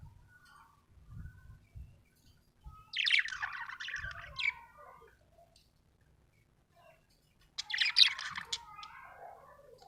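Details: Happy budgie making two separate bursts of buzzy, scratchy chirping several seconds apart, with soft low knocks and quiet between them.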